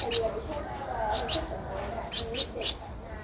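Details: Streak-eared Bulbul nestling, 12 days old, recorded in Ubon Ratchathani, Thailand, on 14 April 2023; a few sharp high squeaky chirps, some in quick pairs, over a background of human talking.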